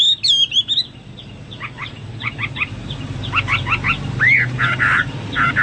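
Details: Hwamei song for training pet birds: a few high looping whistles at the start, then softer clipped double notes repeated in short groups, one clear arched whistle and some harsher bursts over a steady low background hum.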